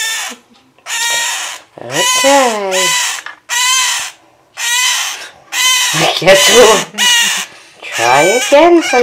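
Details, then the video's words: A male scarlet-chested parakeet kept at home cries constantly beside his mate, rapid harsh buzzy bursts nearly back to back, while a woman talks soothingly underneath. "Scarlet Chested being a cry baby"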